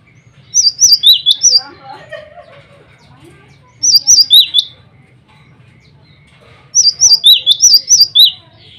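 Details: Male cinereous tit (glatik batu) singing to call rivals and females: three bursts of quick, bright two-note whistled phrases, high-pitched and repeated rapidly, with pauses of about two seconds between bursts and a low background hum.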